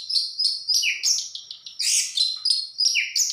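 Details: Orange-headed thrush singing vigorously: a fast run of varied, sweeping whistled phrases, many sliding downward, with short buzzy notes between them. The phrases come in quick succession with brief gaps.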